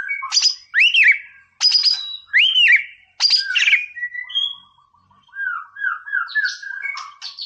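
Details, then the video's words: White-rumped shama singing in the "Boomerang" style to provoke a rival: sharp high notes with arching whistles, then a soft rapid ticking trill and a run of short rising whistles. "MASTERAN MURAI BATU GACOR"BOOMERANG "COCOK BUAT NAIKIN EMOSI LAWAN"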